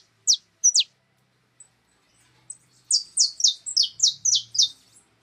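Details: Free-living birds feeding on cracked corn at a feeder. Two sharp descending chirps, a pause, then a fast burst of about nine high chirps over a faint low rumble.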